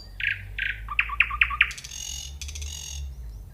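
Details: Common nightingale: two rough notes, four sharp rising repeated notes, then a long buzzy rattle. A faint low rumble sits underneath.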